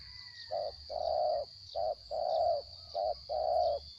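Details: Spotted dove in captivity, described as small-voiced, giving soft, muffled coos alternating short and long notes, quieter and more distant-sounding, with a faint high hum and low rumble.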